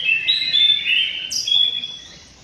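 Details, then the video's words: A white-rumped shama in an aviary sings a high, sweet whistled phrase of long sliding notes, broken by a sharp descending squeak, then a final drawn-out whistle that fades. "BURUNG MURAI BATU DI AVIARY"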